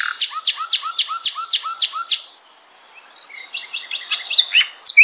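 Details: Common nightingale (Luscinia megarhynchos) repeats a loud, sharp note with a lower hooked tail about eight times at a steady pace. After a brief pause comes softer, rapid twittering and a final high note.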